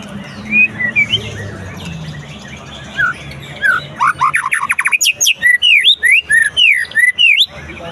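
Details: White-rumped shama heard after moulting. Quiet soft notes come first, then a burst of loud, rapid whistles, rising and falling slurs repeated in quick succession, building in strength toward the end.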